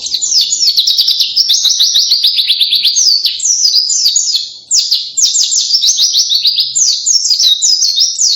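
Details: Extended loud white-eye song resembling a canary, a continuous torrent of high, rapid trills and swept whistles lasting about eight seconds with one brief break midway.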